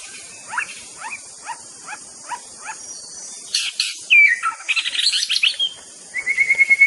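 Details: White-rumped shama (murai batu) singing: a run of five short, evenly spaced down-slurred notes, then a burst of rich, varied, rapid phrases with a bright clear whistle and a closing series of quick repeated notes.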